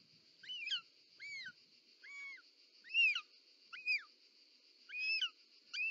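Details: Mother short-toed snake eagle bringing a snake to its nest, Parc Natural dels Ports, Catalonia, 18 July 2024, calling with seven drawn-out, wavering whistles, each bending downward, above a steady high-pitched hum.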